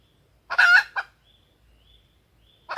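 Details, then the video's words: Lure call of a female red junglefowl for calling males: a loud, raspy cackle followed by a short cluck, then quiet, and a fresh cackle starting at the end. "suara pikat ayam hutan betina"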